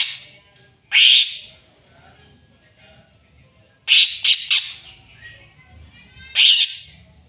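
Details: Provoked by a rival, a greater green leafbird delivers three spaced bursts of shrill, rasping notes. The middle burst is split into quick stuttered pulses, with near-silence between phrases.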